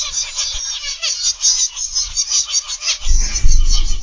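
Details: Captive zebra finches in an aviary, morning: steady high-pitched chattering beeps from many birds, joined after three seconds by a rise of low rumbling noise.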